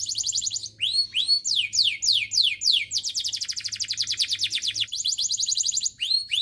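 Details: Singing canary, meant to stimulate other canaries into song: rapid upswept whistles running into a long dense rolling trill, then more rising sweeps, all high-pitched and continuous over a soft low hum.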